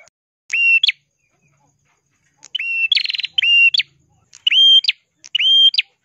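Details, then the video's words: Ashy prinia (prenjak kelawu, red-headed prenjak) in full song, used as a tutor for other songbirds: five loud buzzy phrases, each a steady high trill ending in a sharp rising note, separated by short silences. "burung prenjak kelawu gacor suara kristal cocok untuk masteran"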